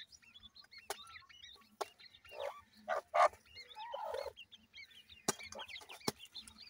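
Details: Feeding grey francolin chicks give soft, high, curling peeps in loose runs. Two brief rough bursts interrupt midway, and occasional sharp clicks are heard.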